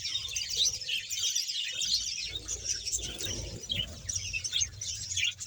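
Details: Budgerigars, a breeding colony of 100 pairs in Bahawalpur, chattering all at once: dense, overlapping warbles and chirps with steady twittering throughout, over a faint low hum.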